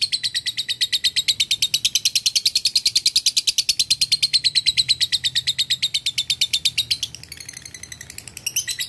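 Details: Male lovebird calling to a rival with long chattering, used as a lure: a continuous fast stream of harsh, high, rattling notes, roughly steady for seven seconds, then shifting to thinner, squeakier chatter.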